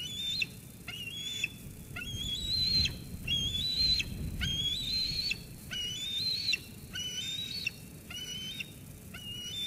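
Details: Eaglet at the Sauces Canyon nest, 13 June 2021, squeeing at its mother after she brings food until she leaves; thin high whistled squees, each rising then dropping, repeated about once a second over a low rumbling background.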